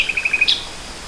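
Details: Nightingale singing in spring 2014: a quick run of five short, even notes, then a sharper, higher burst, over a soft hiss of background noise.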